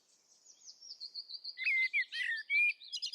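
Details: Common Blackbird singing: thin high squeaky notes, then a short run of mellow, fluty, warbled notes mixed with sharp twittering flourishes, with a melancholy, thoughtful ring.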